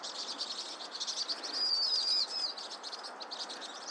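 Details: Vinous-throated parrotbill: a short run of thin, high whistled notes rising and falling, set over busy, high-pitched twittering.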